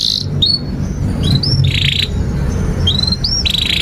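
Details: Canary in long continuous 'gacor panjang' singing, used as a tutor for young canaries and for canaries that have stopped singing: short rising whistled notes and brief buzzy bursts scattered over steady low background rumble.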